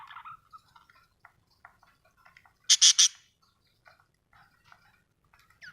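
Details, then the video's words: Soft, low twittering and clicks from a budgie, broken by a sudden loud burst of three harsh, high chirps midway, then quiet chatter returns. "Budgie chirping sound"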